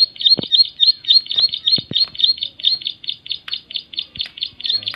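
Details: Bar-winged prinia, locally called ciblek, delivering a shrill, insistent song of quick repeated high chirps at a steady rhythm, over occasional soft knocking sounds.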